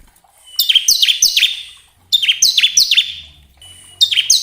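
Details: Bar-winged prinia song used to prompt caged birds to sing: groups of three or four loud, high, downslurred chips separated by short gaps, with faint low humming between phrases.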